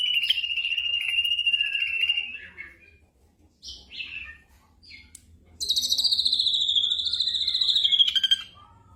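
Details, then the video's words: Black drongo song for night-time training of caged songbirds: a steady buzzy trill of about two seconds, short separate whistled notes after a pause, then a loud high trill sliding down over three seconds. "TERAPI SRIGUNTING MALAM HARI"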